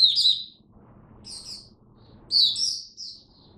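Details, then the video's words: Caged oriental white-eye singing during cold, rainy weather: three bursts of high, thin twittering, each about half a second long, with short pauses between them and faint low background hum. "Mata Puteh Buka Sing Raja"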